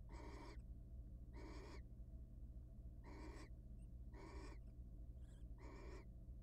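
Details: A monitored nest box holds wild barn owls mating before eggs are laid. Harsh hissing bursts repeat about every second, with a soft short note near the end, over a persistent low hum.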